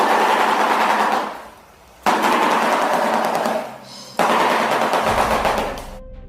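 A shoebill claps its bill in three long, rapid, harsh rattles like machine-gun fire, each lasting over a second with brief pauses between.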